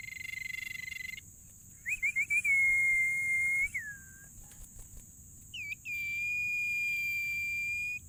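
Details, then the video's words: Actively singing tailorbird: a steady pure whistle, a quick rippling trill that flows into a long level note sliding down at the end, then another long clear whistle. A constant high-pitched tone hums in the background. "burung sirtu gacor"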